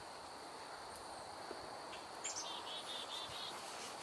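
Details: One or two chickadees vocalize near a pond on a cool, windy day, possibly an alert call: a thin high note then a quick run of short buzzy repeated notes, over a steady high insect hum.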